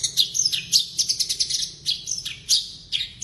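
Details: Blorok Javan bush lark in energetic full-fill song, delivering a rapid, dense chatter of sharp, high, clipped notes in pulsing bursts, with brief gaps between the louder peaks.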